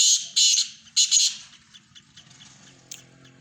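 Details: Black francolin, Sindhi teetar, with three loud hoarse rasping bursts in the first second and a half, fading into faint scattered clicks and a murmuring low background noise.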